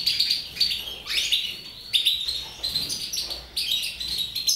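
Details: High, chattering song of a captive mutation goldfinch, nearly continuous: rapid liquid twitters, a downward-sliding note, and repeated bright jingles rising and falling in loudness.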